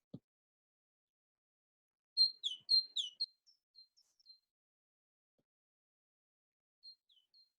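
Great tit: a quick burst of high, thin, slurred notes, then a few scattered faint notes and a short phrase near the end. A soft thump opens the recording.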